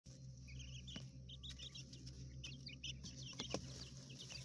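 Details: Coturnix quail chicks raised indoors in a small urban hotel room, recorded inside their enclosure: many short high peeping chirps in quick scattered bursts, with steady low mechanical hum and occasional clicks and taps.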